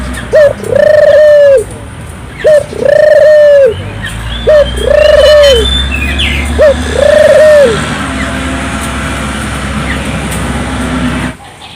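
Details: Barbary dove singing in the lively gacor manner used to set local doves going: four low coos, each a quick note then a held arching one, followed by steady background hum.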